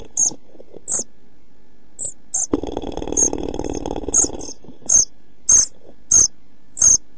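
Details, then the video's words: Nest-box camera footage of pied flycatcher chicks 11-12 days old, almost ready to fledge, 29 June 2013; high thin begging notes about once a second, interrupted midway by a burst of rushing, rustling noise, likely wing movement. "Kirjosiepon poikaset 11-12 päivää / Pied flycatcher's chicks 11-12 days"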